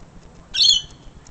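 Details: Lorikeet perched on a Sydney balcony: a single loud, rasping, high-pitched squawk, abrupt and about a quarter-second long, with faint low background rumble.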